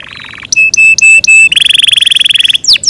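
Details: Yorkshire canary, a kept bird, singing a long melodious song: a short buzzy trill, then steady pure whistled notes, then a fast rapid rattle of high notes ending in quick downward sweeps.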